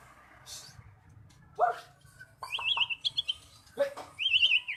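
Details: Captive magpie-robin used as a lure recording to coax a quiet bird into singing; thin wavering whistled phrases high up, with a few sharp lower notes and a low background hum.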